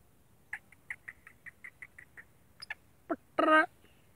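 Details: A captive all-black male black francolin calling: a quick run of about ten short, harsh clicking notes, then a few louder grating notes ending in a loud rasping burst.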